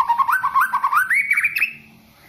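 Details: White-rumped shama, a contest-winning caged bird, delivering a rapid warbled phrase of whistled notes that steps steadily upward in pitch before fading into a sustained high whistle, over low background hum.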